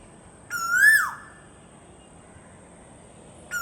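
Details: Koel giving one ringing, rising whistled note that peaks and quickly falls off, then silence until the next call begins at the very end.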